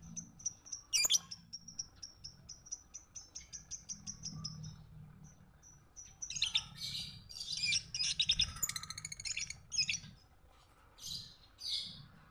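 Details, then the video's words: Lovebird chirping, recorded as an early tutor track for other birds to copy: a rapid string of thin, evenly spaced high chips, a short pause, then dense scratchy, twittering chatter in quick bursts. "burung Lovebird//masteran awal //pasti ngikutin"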